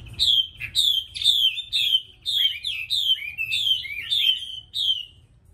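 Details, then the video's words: Caged female Chinese hwamei calling to spur a male into song. A run of about ten sharp, high, downward-sliding notes, fairly even and roughly twice a second, with faint low room hum beneath. "Mi mái TỐT sùy thúc trống PHẢI hót"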